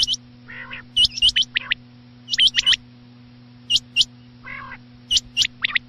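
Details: Night-time quail calls: clipped high whistles bunched in twos and threes, interspersed with a few lower buzzy nasal notes, irregular gaps between bursts, constant low hum underneath.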